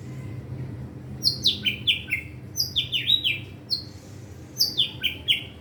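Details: Young caged white-rumped shama learning its song with a varied repertoire: clusters of sharp descending whistled notes in quick runs, separated by short pauses.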